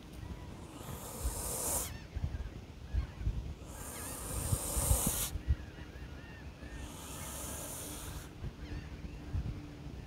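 A swan gives three long, harsh breathy hisses, each lasting over a second and spaced about three seconds apart, over a low rumble of wind.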